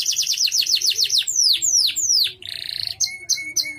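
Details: Singing canary: a rapid string of falling slurred notes, then three long downward sweeps, a thick buzzy note, and short clipped whistles at two pitch levels.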